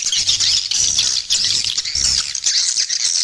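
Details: Lure call meant to bring in swiftlets and increase the population. Shrill twittering chirps come in quick overlapping bursts, with a low humming tone beneath.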